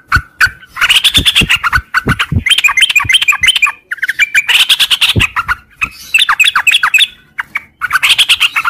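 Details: Sooty-headed bulbul singing a long ngropel song in the morning: dense, squawky chattering bursts with rapid notes and brief pauses between runs.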